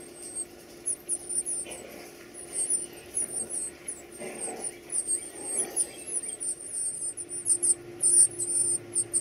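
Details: Chicks being fed produce high-pitched, scratchy squeaking in quick clustered bursts, with some broader rustling noise and a steady low hum underneath.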